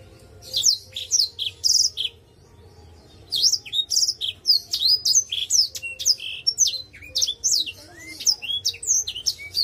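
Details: Black-throated canary from Indonesia singing actively in the Ngalun song style: rapid high, sharply swept whistled notes and buzzy trills in dense bursts, with a short pause after the opening phrases, then continuous chattering warbles.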